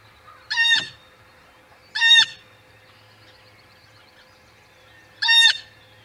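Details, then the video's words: Blue jay at the Audubon Boathouse nest, April 19 2020, calling while other birds still sleep: three harsh, nasal calls spaced unevenly over six seconds, over a steady low electrical hum. "Silence, please, Blue jay!"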